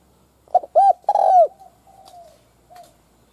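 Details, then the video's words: Decoy spotted dove calling to attract other doves: a short phrase of low hollow coos, two quick notes and a longer rolling coo, trailing into faint softer coos. "Tiếng cu mồi gáy hay kích mồi tập bổi nghe điên máu"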